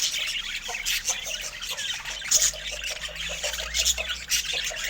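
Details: Budgerigars chattering: continuous noisy, scratchy warbling with soft chirps layered throughout, no clear pauses, fairly quiet.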